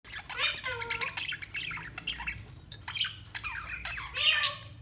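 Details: Budgerigars chirping and warbling in a busy mix of short squawks, rising and falling whistled notes and buzzy chatter, several birds calling over one another, with a low steady hum underneath.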